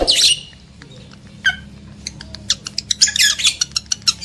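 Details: Lovebird mating-arousal sound for breeding males and females: an opening shrill squawk, a quiet gap with a few chirps, then quickening sharp clicks and scratchy high chatter.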